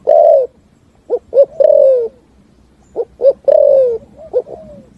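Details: Forest-echoing 'thúc gù' song of a spotted dove: an opening long coo, then double short hoots leading into long descending coos, with pauses between phrases.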